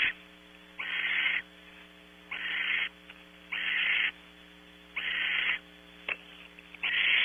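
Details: Nest-box barn owls at Audubon Starr Ranch, California, early morning while the male brings prey; long harsh hissing screeches near a second each, spaced irregularly about every 1.5 seconds, over a faint steady hum.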